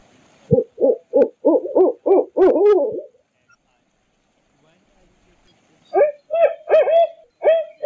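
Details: Barred owl hooting: a rapid series of about eight rising, wavering hoots building in strength, then a silence and a second burst of five bright, hoarse hoots with rich overtones.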